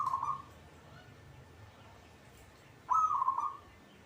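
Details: A local zebra dove sings readily, giving a brief purred coo phrase, then after a long pause another low rolling trill of about half a second, with a faint background hum.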